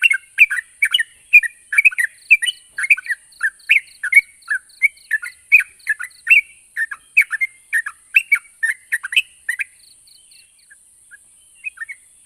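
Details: Yellow-vented bulbul singing to draw a reply from birds that have gone quiet: ten seconds of lively, dense, liquid chattering phrases at a steady pace, fading to sparse faint notes, with a steady high hiss.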